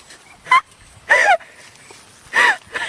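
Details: Parrot kept for its talking, giving three short, harsh, nasal bursts spaced about a second apart, each with a quick bend in pitch, over a quiet background.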